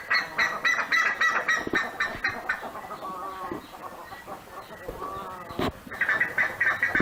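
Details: Buff-necked ibis of the Pantanal giving loud, harsh honking calls in rapid repeated bursts, several notes per second with ringing harmonics, dipping briefly in the middle before resuming strongly toward the end.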